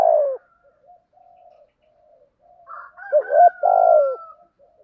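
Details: Spotted dove lure cooing in the giọng thổ style: a falling coo at the start, a quiet stretch with faint murmurs, then a hooted phrase ending in a long drawn-out coo.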